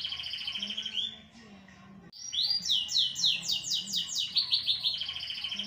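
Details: Worked-up, noisy canary delivering a ringing trill and a short pause, then a strong series of loud, swooping, downward-slurred notes, about four a second, ending in a high rattling trill.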